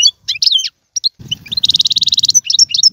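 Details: European goldfinch singing, meant to stimulate a pet goldfinch to sing: jumbled bright twitters, then a sustained rapid buzzy trill lasting under a second, then more chirps over a low rumbling background.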